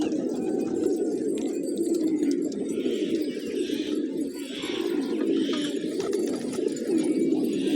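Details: Hungry village pigeons feeding on fresh grain on a morning, a flock giving a dense, continuous low cooing murmur with overlapping rolling coos and faint higher noises.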